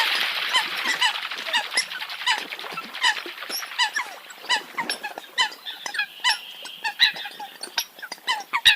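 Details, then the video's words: Eurasian coot flock in steady chatter, repeated nasal honks and high squeaks overlapping over a hissing background of distant calling birds. "tiếng chim sâm cầm obama"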